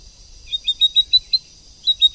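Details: A captive female white-rumped shama, used to provoke males into fighting song, gives a quick series of high, sharp chipping notes, about seven in under two seconds, over a faint steady high ringing.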